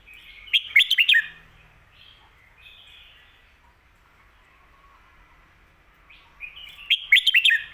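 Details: Red-whiskered bulbul singing the 'phat kuaitiao' (stir-fried noodles) and 'khayao khuat' (shaking bottle) song styles, used to teach birds at home: two quick bursts of bright, bubbling whistled notes at the start and end, with a soft warble between.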